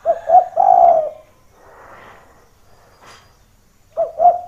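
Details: Spotted dove coos meant to entice other doves down to a rival: a double low coo opening into a long mellow note, then a soft rustling lull before two more short coos.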